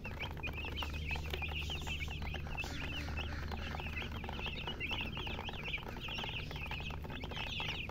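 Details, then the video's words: Several baby chicks keep up a constant chirping: shrill, wavering peeps tumble over one another without pause. A low droning hum runs throughout. "Baby "Chicks Chirping" Sound"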